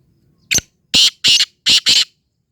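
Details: Black francolin calling: a short sharp opening note, then two pairs of loud, harsh, rasping notes in quick succession, the whole phrase over about one and a half seconds against a quiet background.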